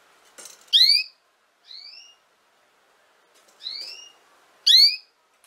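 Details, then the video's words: Female canary giving short, bright upswept chirps with rising harmonics, four notes spaced irregularly over about five seconds; the first and last are loud and sharp, the middle two softer. There is no other noticeable sound. "chant femelle canari - canto fêmea canário"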